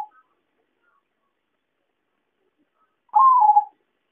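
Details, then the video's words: Lure call of the zebra dove (perkutut), used for trapping: a single rolling, mellow coo near the end after a long silence, with the tail of an earlier call at the very start. "suara pancingan dan suara pikat perkutut"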